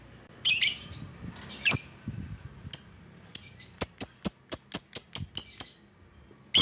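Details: Lovebird calling rivals opens with a few harsh squawky calls, then a quickening run of about ten sharp, high, clipped chirps, closing with one more squawk.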